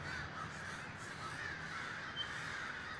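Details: Short burst from a large crow gathering in Davis, California: a continuous, slightly softer chorus of many cawing birds with a faint low hum.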